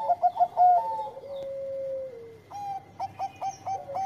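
A zebra dove sings quick, clipped cooing notes broken by one long, slowly falling coo.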